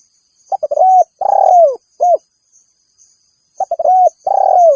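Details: Spotted dove call used to challenge rivals and lure wild birds: short stuttered notes, a long rolling coo falling in pitch, then a single clipped coo, the phrase repeating after a pause; faint high hiss above.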